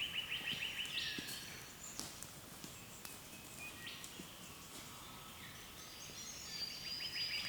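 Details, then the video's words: Birds calling in the early morning on Australia's east coast, recorded on a camera: a fast trill at the start, then scattered high chirps and faint whistles, and a stuttering trill again near the end. "Sounds of Birds early morning in Australia"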